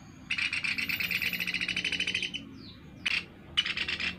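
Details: Lure recording of a Sunda pygmy woodpecker: a two-second rapid buzzy rattle of even pulses, a pause, then a short harsh burst and a second brief rattling trill.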